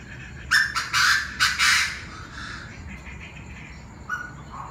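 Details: Noisy group of Chinese francolins at 7 pm, many voices: a rapid run of five loud grating notes within about two seconds, fading to softer echoes and a couple of distant calls later.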